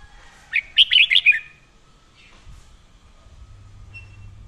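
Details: Red-whiskered bulbul singing in the fiery, intense 'căng lửa' style, recorded for daily voice training: one quick burst of about five bright, warbling whistled notes lasting under a second, then near silence with a faint low hum.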